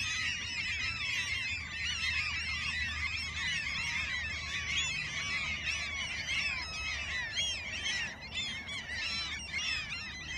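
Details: Gulls in Alaska in a dense, continuous chorus of overlapping squealing and mewing calls, many birds calling at once without pause, with a low rumble of wind or surf underneath.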